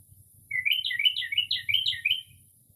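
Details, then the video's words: Midnight singing by a Northern mockingbird in early spring, mimicking other birds' calls: one continuous jumbled run of tumbling, warbled high notes lasting about two seconds, with a faint low hum beneath. "Northern Mockingbird Mimics Different Bird Calls"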